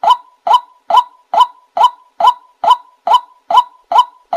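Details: White-breasted waterhen lure call for attracting birds: a single short nasal honk-like note repeated very regularly about every 0.45 seconds, each with a quick downward tail, clean with no other sounds.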